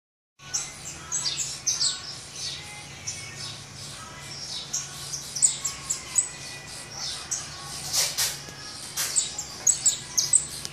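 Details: Hungry saffron finch chicks being fed in the nest, giving fast rasping, high-pitched begging chirps in a steady stream of bursts, with thin sharp squeaks on top and a faint low hum behind.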